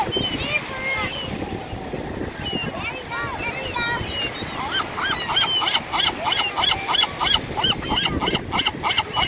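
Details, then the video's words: Seagulls fighting over chips: a few scattered yelping cries at first, then a fast run of harsh, repeated, laughing calls in the second half, with people talking and surf-like background noise. "Seagulls fighting over chips"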